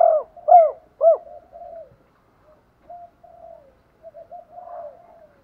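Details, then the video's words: Decoy spotted dove calling to draw in and challenge rival males; three loud arched hoots in quick succession open, followed by softer, lower murmured coos trailing off with brief gaps. "Tiếng chim cu gáy mồi gáy gọi bổi/ tiếng chim cu gáy thúc đấu giọng hay"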